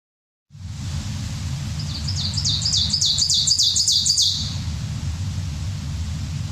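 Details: Ovenbird song, remembered as 'teacher teacher', played back during a bird-identification class: a rising series of bright, high, chanted double notes that grows louder and then stops abruptly, over a steady low rumbling hum.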